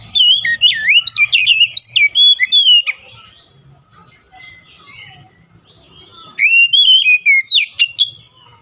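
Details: Oriental magpie-robin lure song aimed at birds that will not sing: a long, rapid stream of loud, twisting whistled notes, then a quieter gap with faint calls, then another bright whistled burst.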